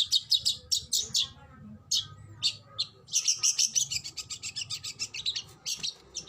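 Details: Oriental magpie-robin in fierce kacer 'tembakan' song: quick high chirps in short bursts, a pause, then a fast rattling run of repeated notes followed by scattered sharp chips over faint low noise.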